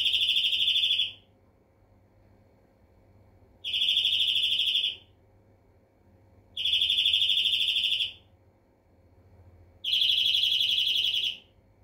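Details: Four evenly spaced rapid trills from a European greenfinch, every phrase a rattling run of bright repeated notes lasting over a second, with roughly two-second pauses between them.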